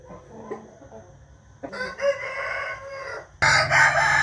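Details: Morning rooster crow from 8 April 2021: soft clucks first, then a sustained harmonic crow of about a second and a half, cut by a sudden loud, harsh, broad crow at the close, over low hum.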